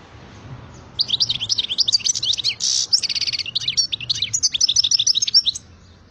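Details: Energetic European goldfinch song: a continuous five-second stream of sharp, liquid twitters mixed with a harsh buzzy rasp near the middle, high-pitched throughout, over faint low hum.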